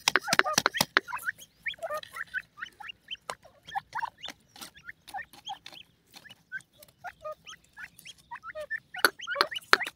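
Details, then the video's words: Young grey francolins give a steady stream of brief chirps, each sliding up or down, with loud click bursts at the start and end and scattered ticks between. "gadray teetar k bachay,pheasant bird babies ke calling"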